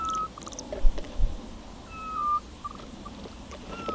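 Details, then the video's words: Eurasian scops owl of a breeding pair near an old woodpecker nest hole, Cavarzere countryside, Venice, spring 2016, gives soft, pure whistled notes at mid pitch, several in a few seconds, over constant high insect buzz and low rumble. "Eurasian scops owl mating"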